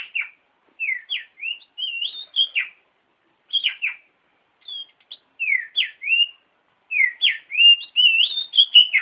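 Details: Training song of an oriental magpie-robin: repeated bursts of high, rapid, downslurred and rising whistled notes, each phrase lasting about a second, separated by brief silences.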